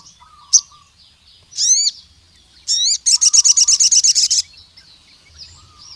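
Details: Crimson sunbird from the wild, calling out to a rival male: a single sharp chirp, two separate buzzy bursts, then a fast run of about fourteen high trilled notes, with soft lower whistles.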